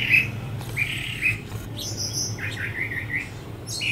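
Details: Brown thrasher in a Bradford pear on 23 February 2018 sings short, varied chirping and whistled phrases at mid to high pitch, joined vocally by another bird, over a steady low rumble.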